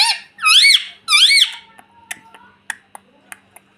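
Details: Pet ringneck parrot talking, repeating 'mummy': two loud, harsh, arched calls with rich harmonics, each rising then falling, about half a second apart, followed by soft clicks and faint taps.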